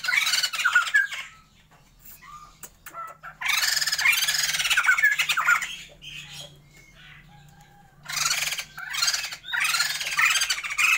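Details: Caged Sumatran laughingthrushes, a pair set up for breeding, give bursts of raucous laughing chatter lasting one to three seconds, separated by quiet spells with a faint low hum.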